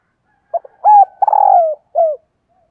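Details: One full song phrase from a decoy spotted dove luring wild doves: stuttered opening notes, a clear coo, a long grating coo that slides downward, and a brief dropping final coo.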